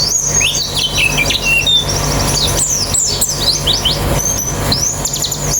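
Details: A colony of white-eyes, used as therapy to get a bird singing quickly with an open beak: dense, overlapping high, thin chirps and quick rising and falling twitters from many birds, over a steady low hum.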